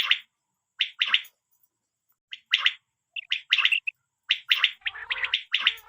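A quail gives short, harsh, gargling bursts in an irregular series, roughly one per second, with some denser overlapping notes and a faint low hum near the end.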